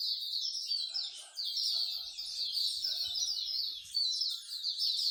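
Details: Many songbirds singing together at a bird singing corner in Singapore, a favourite pastime of bird lovers: continuous high, busy twittering and chirped phrases layered over one another, with faint low rumbles underneath.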